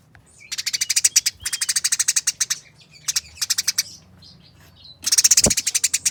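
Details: Eurasian tree sparrows in a fight make long runs of fast, scratchy, closely spaced chattering notes in four dense bursts, with brief quiet gaps and a few faint high chirps between the runs.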